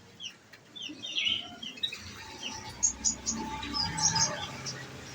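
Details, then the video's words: Olive-backed sunbird, captive and nectar-fed, in shooting-style song: soft downslurred high notes, then a string of very high sharp chips repeated in quick bursts with low background noise. "Enaknya ngerawat konin !!! tinggal dikasih makan !!! bunyi nembak nembak deh"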